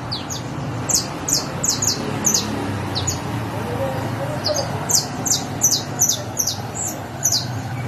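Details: Saffron finch, known locally as canario criollo, giving bright, high chirped notes in quick uneven series, each note sliding downward, with a constant low hum underneath.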